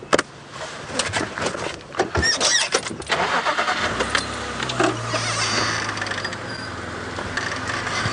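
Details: A safari vehicle at sunrise starts its engine with sharp clicks and rattles, then settles into a steady low idle with broadband rumble.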